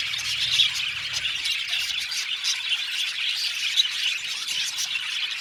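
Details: Seventy pairs of budgies in an aviary calling together, a steady bright chorus of overlapping chirps and squeaks, with a brief low hum early on.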